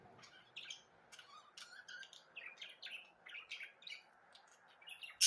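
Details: Budgerigar chatter in a quiet room: quick bursts of squeaky, twittering notes at irregular intervals, ending in a sudden harsh squawk.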